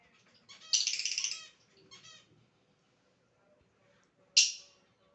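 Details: Pet lovebird in a funny mood, whistling: harsh buzzy squawking bursts, a longer rasping one near the start, a short faint one after, and a sharp loud squawk toward the end, with quiet gaps between.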